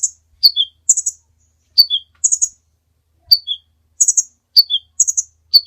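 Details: Kolibri ninja sunbird, a master recording for training other birds: high buzzy chirp clusters answered by short descending two-note whistles, the phrase repeating roughly every second in a quiet setting.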